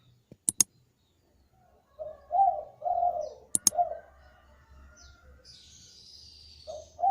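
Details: Spotted dove calling, used to prompt other doves to sing, with a short burst of low, mellow coos mid-clip and another starting at the end, preceded by sharp clicking knocks and a faint hum.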